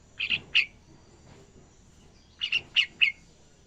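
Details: Learning young yellow-vented bulbul attempts ngacor song with a short three-note chirp, then a slightly longer run of four bubbly chirps about two seconds later.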